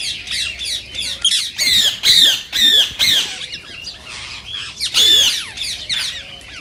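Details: Rose-ringed parakeet, green Indian form, calling to prompt singing and mating in others: soft rapid chatter at first, then loud harsh screeches roughly every half second, a quieter spell, and a final piercing shriek.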